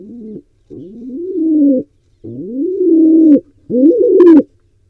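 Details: Wild pigeon trying to breed in a nest box in Israel shared with barn owls; three long low coos, each rising and swelling then cut off, separated by short silences, a faint higher crackle near the end.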